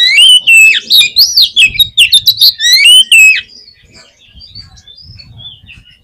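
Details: Oriental magpie-robin song for provoking a pet bird to sing: over three seconds of loud, fast, varied phrases with rising whistles and harsh notes, then quiet scattered high chirps.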